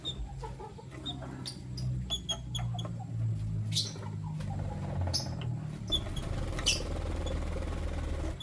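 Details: Lutino lovebird chirping where a male chooses between two females: quick high squeaky chirps and sharp clicks come in irregular runs over a steady low hum and rustling.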